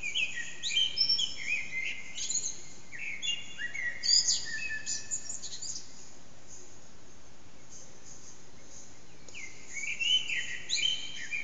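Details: Early-morning song of a Eurasian blackbird near 4:30am in an echoing backyard, HTC Desire recording: two bursts of busy fluted warbling with squeaky high notes, separated by several seconds of quiet hiss.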